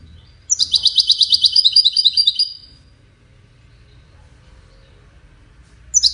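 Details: High, jangling European goldfinch song: a dense two-second burst of rapid chirping notes, a pause of silence, then the start of another phrase at the very end.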